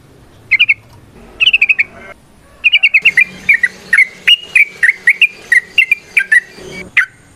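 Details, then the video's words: Trucukan, the yellow-vented bulbul, singing gacor ropel variations with nrotok and ngecuplik phrases as a lure; short clusters of chirps, then a sustained stream of varied sliding notes. "Suara Burung TRUCUKAN gacor ROPEL VARIASI NROTOK NGECUPLIK pancingan trucukan agar JADI trucuk GACOR"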